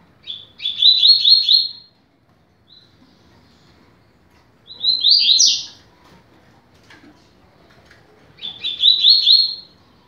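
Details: Teaching song of a double-collared seedeater in the 'rápido de bico' style: three short phrases of fast, chattering notes, each ending in a sharp upward twist, separated by a few seconds of near silence.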